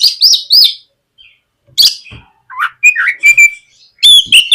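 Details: White-rumped shama, a singing lure meant to draw a young shama into song, mixing sharp whistled notes with buzzy bursts and rising slurs, separated by short pauses.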